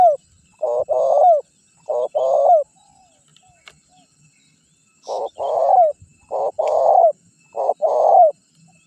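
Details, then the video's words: Lure recording of a champion calling spotted dove for attracting wild birds: two-part coos, a brief note then a drawn-out rolling note with a falling tail, in bursts separated by a short quiet gap. "Suara Pikat Terkukur Gacor Juara 1 Untuk Pancingan Cepat Bunyi"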